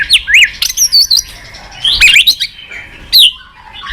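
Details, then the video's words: White-rumped shama giving high, bright whistled phrases and twisting chirps in short bursts, then tailing off into quieter notes. "Pancingan MURAI BATU MALAS BUNYI Sekali putar langsung NYAUT ,GACOR & BONGKAR ISIAN"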